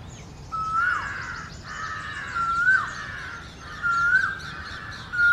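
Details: Male Asian koel in India singing loud, rising 'ko-el' notes about one a second, with some roughness, over faint background noise, calling all day in its territory as the summer breeding season approaches, on a ficus tree.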